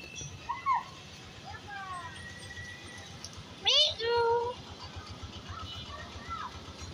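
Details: A common hill myna imitates human speech: a few short, voice-like words, then a loud harsh burst and clear whistled notes, with faint background sounds throughout.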